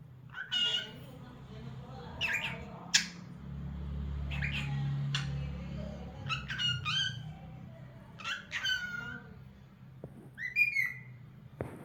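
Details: Cockatiel singing as a pet: scattered short chirps and downward-slurred whistles in irregular bursts, over a low background rumble.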